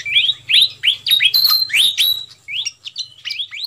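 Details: Fantail flycatcher lure call for attracting wild birds, played as a noisy sequence: quick rising whistled chirps about three per second, then softer scattered upward notes, over a low background hum.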